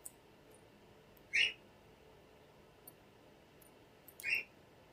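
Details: A cockatiel gives two brief, high chirping whistles about three seconds apart in a quiet room.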